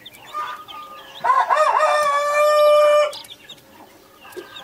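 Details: A long, wavering, harmonic drawn-out call lasting about two seconds rises above faint high chick peeps, from a naked neck mother hen kept with Brahma, Australorp and Sussex chicks.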